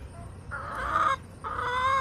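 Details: Backyard hens recorded August 28, 2024, giving two loud, drawn-out nasal squawks, each about half a second long with a short pause between, over a quiet low rumble.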